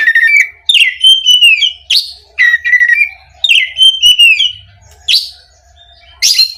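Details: Lure song of an oriental magpie-robin meant to provoke rival birds: strong whistled phrases with sliding tones, each broken by a sharp harsh high note, repeated in quick sequences.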